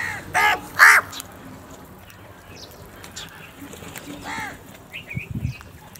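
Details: Crows fighting over food: two loud, harsh, harmonic caws in quick succession open the scene, then a quieter stretch of faint chatter, another rasping caw, and a few thin high squeaks near the end.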